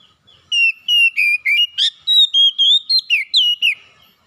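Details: Oriental magpie-robin whistled song serving as a lure for a bird that will not sing: roughly twelve clean, fairly even notes in steady succession, some swooping down at the end, with a short harsh burst near the middle.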